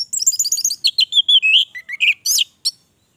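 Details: Energetic gacor song of an orange-headed thrush: a fast stream of high, varied chirps stepping downward in pitch, then a few rising whistled notes and a sharp final note before silence.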